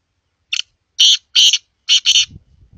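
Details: Black francolin (kala teetar) calling: one short rasp, then four long grating, buzzy notes in two pairs, followed by a faint low rumble.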